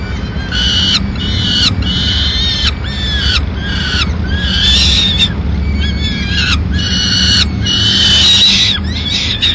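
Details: Female peregrine falcon bringing pigeon remains to the nest in Madrid at mid-morning; repeated loud wailing notes roughly once a second, some wavering, with a constant low hum beneath.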